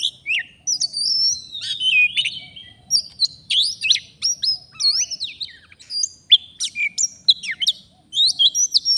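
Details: Oriental magpie-robin in the wild in Indonesia, singing vigorously during bird luring: sustained, varied whistled song with rising and falling slurs, crisp chips and short trills, phrases following almost without break.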